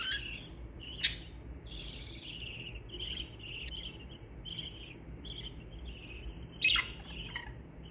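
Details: Happy pet budgerigars chattering in a continuous stream of short raspy chirps, closely spaced and uneven, with two sharper louder squeaks, over a steady low electrical hum.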